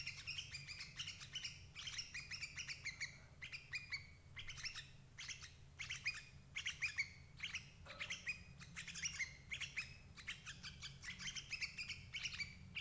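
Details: Sooty-headed bulbul calls used as a lure for trapping adult birds: bursts of bright, chattering, slightly buzzy chirps in quick runs, with pauses between groups and a low background hum throughout.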